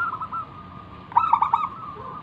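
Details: Local zebra dove song used as a lure to get other doves singing. A short burst of quick stuttering coos follows a quiet stretch holding only a faint steady tone.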